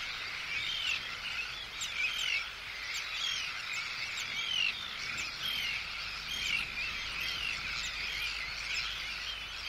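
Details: Arctic tern colony: harsh, downslurred anxiety and threat calls at an intruder about once a second over a dense, hissing chorus of high-pitched colony calls, with calls from chicks.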